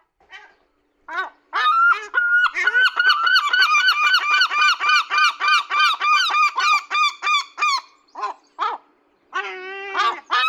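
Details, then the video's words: Seagulls being fed call very loudly: a few scattered yelps, then a long fast run of harsh, nasal, laughing notes at about four per second, a short pause, and a final burst of squealing cries. "Very Loud!! Happy Gulls"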